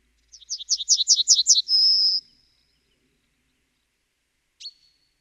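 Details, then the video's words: Yellowhammer song: a quick series of about seven high, buzzy chirps ending in a long drawn-out note, then a lone short call after a pause. "The song of the Yellowhammer"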